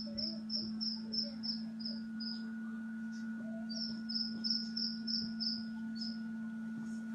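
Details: Newborn black francolin chick chirping: high, thin chirps in rapid runs of about seven notes, two runs separated by a short pause, over a steady low electrical hum.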